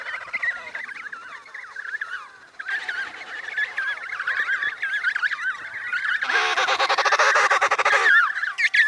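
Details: Emperor penguin chicks in Antarctica, eating snow to drink, calling in rapid wavering whistles that rise and fall, several birds overlapping, with a loud burst of harsher, broadband chattering calls in the later part.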